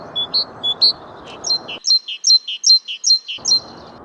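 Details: Great Tit song of crisp paired notes, starting lower and rising, then shifting to a high-low pattern repeated about seven times in rapid, even rhythm.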